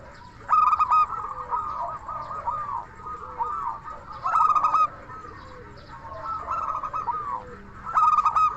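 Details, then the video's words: Lure song of a local Indonesian zebra dove in crystal-voice style, meant to prompt other doves to answer: loud ringing phrases near half a second, four and a half and eight seconds, joined by softer rolling coos. "Perkutut Lokal Gacor SUARA KRISTAL Ahlinya Bikin Semua Burung Perkutut Langsung Nyaut"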